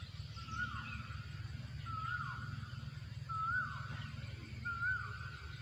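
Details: In a rubber plantation, an Asian koel gives four ringing whistled notes that slide upward and then fall, repeated roughly every one and a half seconds against a constant low mechanical hum.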